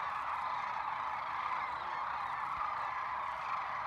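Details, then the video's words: Sandhill cranes in a large flock at Whitewater Draw, Arizona, on January 19, 2019, during the late-morning fly-in back to rest: a steady, dense roar of overlapping rolling calls with no single voice standing out. "Sandhill Cranes January 2019 Whitewater Draw, Arizona"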